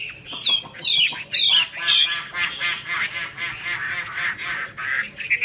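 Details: Chinese hwamei singing in 'hót xòe' style with wings spread eagle-like: three loud, ringing whistled phrases that swoop downward, followed by a softer, rapid chattering warble.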